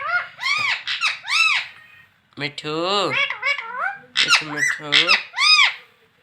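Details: Talking parrot saying "mummy" over and over. Rapid, squeaky, speech-like syllables arch in pitch, with a brief pause midway, then another burst of repeated words indoors.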